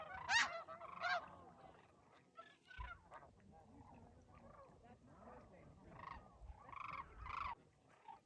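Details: Overwintering Sandhill Cranes at Whitewater Draw, an Arizona high-desert wetland, give loud, rolling, rattling bugles, several birds overlapping in a busy chorus, strongest in the first second, with steady wind noise underneath.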